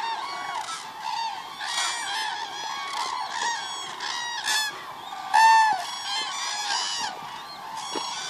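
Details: At the Agamon Hula, Hula Lake, 30 December 2014, cranes produce a loud clamour of overlapping trumpeted calls in repeated bursts, one especially strong nearby call standing out after five seconds.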